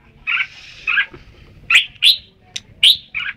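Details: Red-whiskered bulbul: sharp, bright chirps and short warbled whistles at an uneven pace, with a softer burry note at the start and end.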